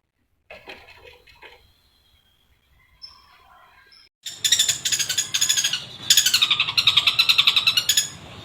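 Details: Long-tailed shrike in full, lively song with imitated notes: faint scattered calls, then loud, harsh, rapid rattling bursts with buzzy repeated notes.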